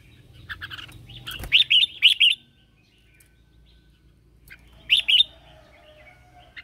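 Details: Red-whiskered bulbul lure bird singing in morning training to call others: a quick run of three bright warbled notes, a pause, then a pair of similar notes, over faint background noise and a brief knock.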